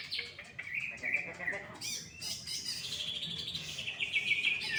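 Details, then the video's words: Greater green leafbird that won first place, singing at full heat: quick high chattering notes and sliding whistles, rising into a continuous buzzy warble, with soft voices faintly in the background. "CUCAK IJO FOLLUM PEDES MUTLAK KEBAKARAN JUARA 1"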